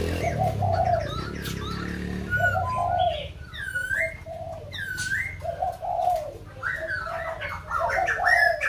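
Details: Kbang recording of white-crested laughingthrush: bubbling low hoots in short bursts, interrupted by loud upslurred whistles and sharp chips from other birds, faint low rumble early on.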